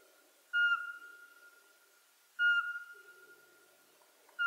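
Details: Regular whistled notes of a Eurasian pygmy owl, the smallest Ukrainian owl, living in coniferous and mixed forest; three steady hoots spaced about two seconds apart over a soft low background rumble.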